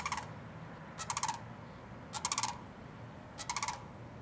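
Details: Sandhill crane that flew in to visit Winding Waters Natural Area, West Palm Beach, Florida, giving rolling, rattling calls in short pulsed bursts, about four bursts within four seconds over a low background rumble.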